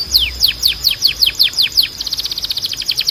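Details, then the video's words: Training song for canaries: evenly spaced descending sweeps about three per second over a steady high whistle, then a quicker run of short clipped notes. "A Canção de Treino Mais Poderosa da Canary"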